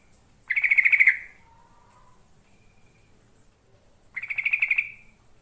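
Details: Two rich bubbly phrases of yellow-vented bulbul song, each a quick run of about eight liquid notes, separated by a quiet gap with a faint low note; a lure meant to make wild birds answer.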